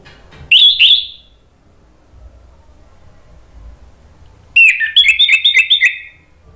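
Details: Song of the orange-headed thrush meant to draw answering calls from rival birds: a short, high whistled flourish, a long pause, then a rapid run of sharp chipping and whistled notes.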